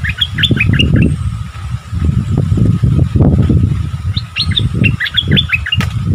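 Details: Wild striated bulbuls in a fierce, matched exchange of song: two bursts of quick, bright, chirpy notes, the first early on and the second near the end, over a constant heavy low rumble of passing traffic.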